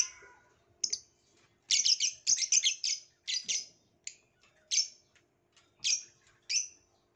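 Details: Violet lovebird chirping: sharp, shrill squeaky chirps, a quick cluster of rapid notes early on, then single chirps spaced roughly every half second to one second in a quiet room.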